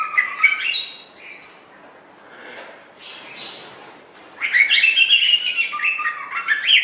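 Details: White-rumped shama song used to train songbirds: a burst of whistles, a quiet pause with faint notes, then a rich run of fast varied whistles and trills.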